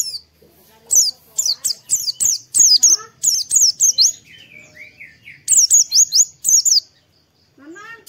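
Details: Morning stimulus song of Oriental white-eye: long runs of fast, high, thin chirps tumbling downward, pausing briefly for softer lower whistles from another bird before the rapid chirping resumes.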